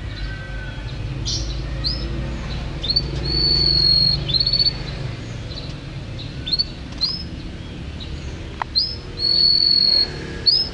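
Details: Yellow canary singing: clear high whistled phrases mixing long, steady held tones with short downward-slurred notes and brief rolls, coming in bursts over about ten seconds against a faint low background hum.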